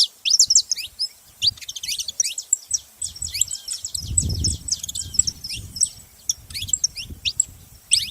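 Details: A flock of saffron finches twitters in high, rapid, overlapping chips over a low rumbling background noise that swells in the middle of the recording.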